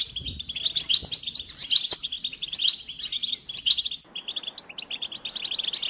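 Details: European goldfinches (Carduelis carduelis), several birds at once, in a fast, bright, tinkling stream of high chirps and trills with little pause.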